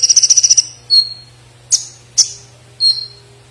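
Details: Konin, the olive-backed sunbird, singing gacor style with platuk sampit notes worked in, for tutoring songbirds: a quick stuttering series of eight high ticks, then single sharp whistled chirps, each dropping into a thin tone, against a faint hum.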